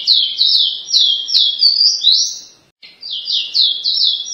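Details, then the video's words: Caboclinho of the paraense type singing a fast run of clear, whistled, downslurred notes, repeated about twice per second, with one longer rising phrase and a brief pause before the series resumes. "CABOCLINHO LINDO - PARAENSE"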